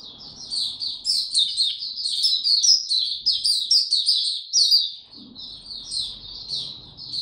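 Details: Singing white-eye, warm and very humid weather, 26 March 2022: a dense, continuous high twittering warble of fast tumbling notes, with low background rumble at the start and end.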